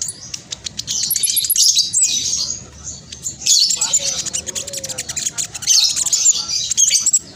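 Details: Black sunbird in spotted plumage giving a fast, tightly packed chattering song, used as a lure for idle caged birds. Sustained shrill twittering runs come in two long bursts separated by a brief pause.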